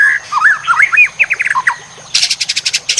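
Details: White-rumped shama song from a masteran for training competition birds: warbling, looping mid-pitched whistles in quick succession, then a harsh rapid ticking series.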